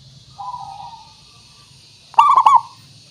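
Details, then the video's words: Zebra dove song used as a lure so other birds call back. A soft drawn coo comes first, then a loud, quick stuttering burst of three or four rolling coo notes. Low background hum. "Suara Pancingan Burung Perkutut Pikat Paling Bagus Supaya Bunyi"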